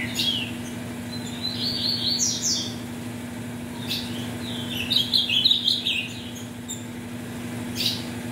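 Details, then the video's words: Ultramarine grosbeak with mutation parents, recorded to warm up birds for tournaments: scattered quick chirps, then a dense warbled phrase in the middle, a final note near the end, and a continuous low hum. "ESQUENTE seu AZULÃO em 5 MINUTOS"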